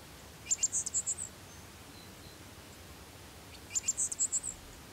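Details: High-pitched black-masked finch from Pompéu, Minas Gerais, Brazil, giving two short bursts of rapid thin, tinny notes about three seconds apart against faint background noise.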